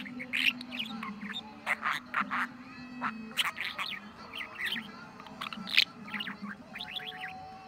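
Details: Budgerigar at home on 23 November, chattering fluently: clusters of buzzy, chirpy syllables and quick warbles repeating in bursts every second or so, a soft low hum throughout.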